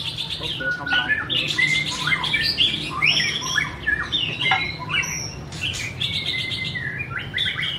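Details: Energetic song of a white-rumped shama: a steady stream of harsh chattering notes mixed with pure whistles and a long level tone, against a quiet low drone.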